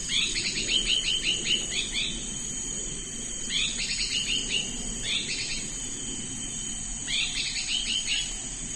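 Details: Hairy-backed Bulbul from Thailand, recorded for xeno-canto, giving quick runs of six to eight thin slurred chirps, each run separated by a pause of a second or more, against a constant high-pitched insect drone.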